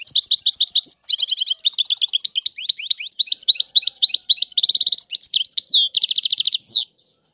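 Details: A European goldfinch delivers its tiwawati song: continuous rapid twittering with liquid chirps, then a fast rattling trill, more chirps, another trill and a final downslurred note, in a quiet background.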